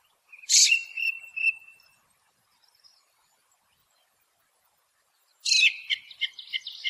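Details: Ring ouzel song: a harsh burst then a held, clear whistled tone, a short pause, another whistled note, then long silence before a second scratchy, chattering phrase begins.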